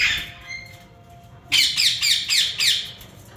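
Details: Yellow ringneck parakeets, a breeder pair: a thin whistled note, a quiet gap, then a steady run of four to five harsh, grating squawks, each under half a second.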